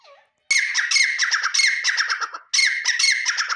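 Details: Calling male grey francolin (teetar): two bursts of loud, raucous, rhythmic notes, each a quick harsh sequence lasting about two seconds, separated by a brief pause, shrill and piercing, in otherwise quiet surroundings.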